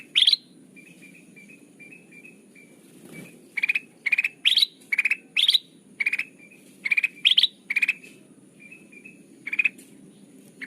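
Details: Sooty-headed bulbul lure sound for trapping: soft whistled notes drifting down, then spaced harsh pulsed bursts, some rising, over noticeable low background noise and a brief thud.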